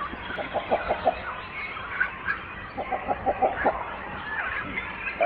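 Great cormorant giving two rapid runs of low, guttural clucking croaks, about seven pulses each, over a steady hiss of background noise and murmuring calls.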